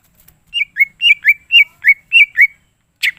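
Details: Greater green leafbird in lively song: paired whistled notes, each rising then falling, repeated four times at a brisk, regular pace. A harsh burst of notes follows after a short pause.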